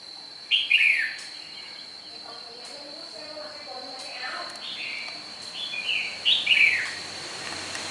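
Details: A red-whiskered bulbul of Nghệ An origin, Vietnam, gives brief, sharp, fluty warbled bursts at the start and again near the end. Quieter chatter fills the gap, with a steady high whine in the background.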